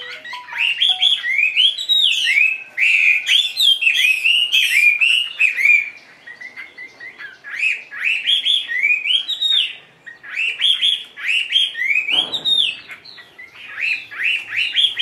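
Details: Tame caged Chinese hwamei singing indoors: long bursts of loud, rapid, rolling whistled phrases with sharp high notes, brief quieter pauses, and one short low thump midway.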